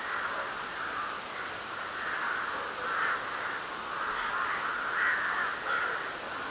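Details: Many crows cawing together at night in spring, full moon, March 2021; rough, throaty calls overlap into a steady chorus that swells in repeated bursts about every second, with a few sharper caws rising above it.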